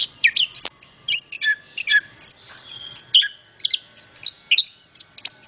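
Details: {'caption': 'Orange-headed thrush in energetic song: dense bursts of high, thin whistles, twittering notes and brief buzzy phrases, with quick changes of pitch and almost no gaps.'}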